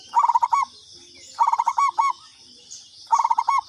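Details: Lure call of a local katuranggan zebra dove: three loud phrases of fast, stuttering coo notes, each ending in a slightly longer drawn note, repeated about every one and a half seconds over a shrill background hum.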